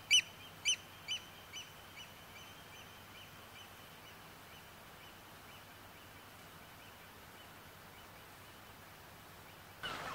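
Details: Eurasian oystercatcher during a live night recording, 6–7 July 2014: a few loud, ringing high-pitched calls open the sequence, then fade into a distant, quieter series of piping notes before a burst of noise at the end.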